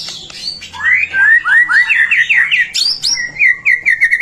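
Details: White-rumped shama in full, vigorous song, used to coax other shamas into singing: a rich run of whistled, slurred notes rising and falling, then a string of quick, evenly repeated chirps near the end.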